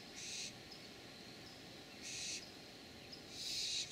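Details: Before dawn in San Rafael, California, June 3, 2012, a barn owl family gives three long, breathy, hissing screeches, the last the loudest, over faint steady background noise.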